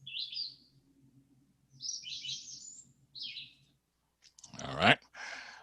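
Red-eyed Vireo singing three short, sweet, up-and-down phrases separated by pauses, over a low hum; a man's voice follows at the end.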